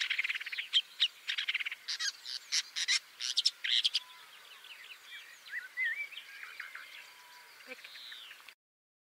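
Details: Woodchat shrike; rapid harsh chattering clicks and buzzy notes, then softer wavering warbled whistles before ending abruptly.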